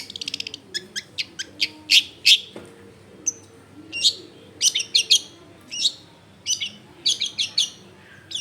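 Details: Long-tailed shrike singing as a lure for other shrikes, recorded at a house in a busy residential area: a quick rattle, then spaced sharp chirps and short scratchy twittering phrases over a low hum.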